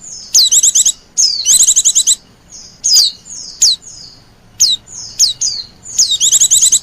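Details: Oriental white-eye luring wild birds with high rattling trills and isolated thin falling whistles, in irregular bursts with short silences.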